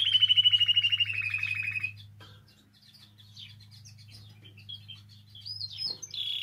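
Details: Spanish timbrado canary singing, song meant for teaching young birds. A fast rolling trill slides gently downward for two seconds, then soft scattered twitters give way to a louder burst of whistled notes at the end, over a steady low hum.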